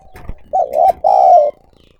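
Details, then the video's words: Calling of a decoy spotted dove, recorded directly. A faint lead-in is followed by two loud, mellow, hollow coos about half a second each. A brief pause separates the two coos. "Tiếng Chim Cu Gáy Mồi Gáy Gọi"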